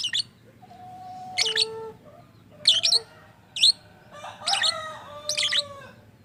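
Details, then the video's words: Lovebird uttering strange noises, said to mimic people talking: scattered high squeaky bursts mixed with clear level whistled tones, some sliding slightly, with quiet gaps between them. "Burung Love Bird bersuara aneh"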